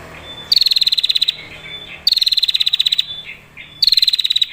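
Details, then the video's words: Female prinia giving a long, clear 'ngetir' trill, said to provoke other prinias into singing and fighting. Three bursts of rapid, dry, high ticking, each under a second and slightly falling in pitch, come about every 1.7 seconds with soft chirps between. "PRENJAK BETINA NGETIR PANJANG SUARA JERNIH"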